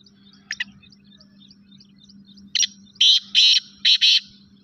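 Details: Black francolin call: two faint clicks, then a short harsh note and four loud rasping buzzy notes in rapid pairs, with a constant low hum behind.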